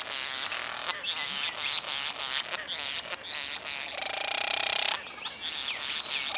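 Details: Satin bowerbird during courtship gives a continuous run of harsh, buzzy churring and creaking notes, with a long mechanical rasping burst near the end and a few thin whistles.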